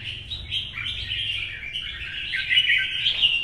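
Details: Caged red-whiskered bulbul, old and wild-caught, singing competitively in the morning sun: jumbled warbling chirps that swell toward the end into stronger, higher whistled notes.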